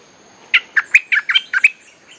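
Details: Bulbul song used to attract wild birds: one lively phrase of seven rapid, bubbling whistled notes, clean and close.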